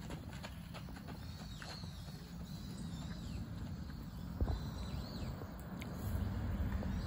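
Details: Common kingfisher at Zenpukuji Park, filmed on a smartphone with a telephoto lens; thin, high whistled notes, some arching or falling, repeated every second or so over a strong low rumble of background noise.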